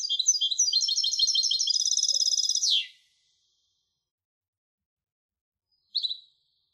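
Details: Song of a European goldfinch hybrid. A rapid, high, rattling twitter of quick repeated notes lasts nearly three seconds and ends in a falling slur. After a pause, one brief high chirp follows.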